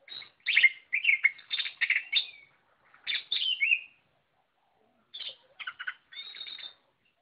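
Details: Oriental magpie-robin in full, energetic song: bursts of loud, varied whistled and scratchy phrases in quick runs, pausing briefly between groups, then sharper clipped notes and a thin high buzzy phrase near the end.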